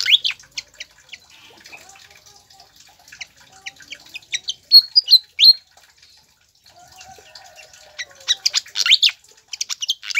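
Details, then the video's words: Pied fantail song used as a lure for caged birds: soft scattered chirps building to loud sharp notes, a short silence, then a dense burst of rising whistles. "PANCINGAN DAN MASTERAN SIKATAN KIPAS AGAR CEPAT GACOR"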